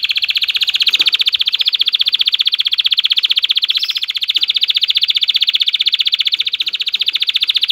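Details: Male canary in an excited state, singing to stimulate any female to mate: one unbroken, loud, very fast rolling trill that holds a steady high pitch throughout.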